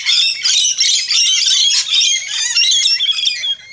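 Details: Rainbow lorikeets at a backyard feeding station in Australia, feeding, produce a continuous dense mass of shrill, harsh screeching squawks and chatter with almost no pause.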